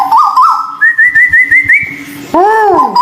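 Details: White-billed bulbul, local and Malaysian birds, in a therapy recording: a clear whistled phrase of stepped, rising warbled notes climbing to a higher wavering trill, then a loud arching, bell-like swoop. A steady low hum runs underneath.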